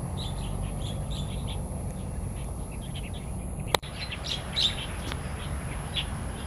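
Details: Chorus of wild starlings recorded in Taiwan, rapid scattered chirps and squeaks from many birds with one louder whistled note, a sharp knock midway, and constant low rumble.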